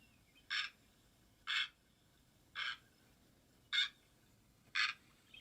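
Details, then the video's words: Great blue heron giving five harsh, raspy squawks, each brief and evenly spaced about a second apart, against a quiet low background hiss. "and this is the call of the great blue heron"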